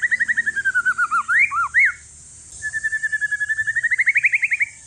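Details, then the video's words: One-year-old white-rumped shama from Aceh forest stock, used to prompt other shamas: a rapid descending string of notes ending in looping whistled swoops, a silent gap, then a fresh run of quick notes rising in pitch. "Si paling ribut murai trah hutan aceh COCOK UNTUK PANCINGAN"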